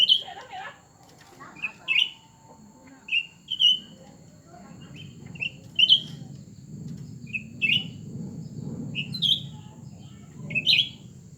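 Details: Two cucak ranting birds, a new one and an established one, sing in competition. Brisk whistled slurs repeat every second or so over a low murmur of background noise.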